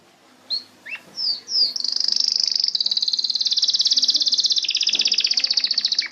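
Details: Canary gives scattered whistled and slurred notes, then breaks into a long, rapid high trill that rolls on for over four seconds.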